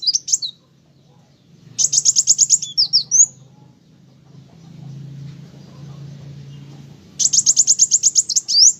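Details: Olive-backed sunbird singing actively, delivering fast runs of sharp, very high repeated notes ending in an upslurred squeak, two bursts about five seconds apart with a quiet low hum between.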